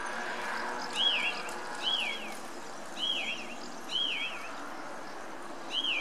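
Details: Song thrush (Turdus philomelos), song.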